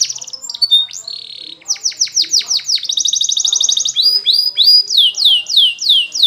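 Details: High canary training song: short trill and whistles, a row of evenly spaced falling notes, a fast buzzing roll, then clear descending sweeps about three per second.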